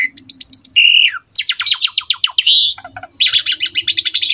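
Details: Prolific Asian pied starling master song for young birds to imitate: stuttered high whistles, a falling slur, a burst of rapid sharp notes, then a dense trilled flourish. A low steady hum is audible.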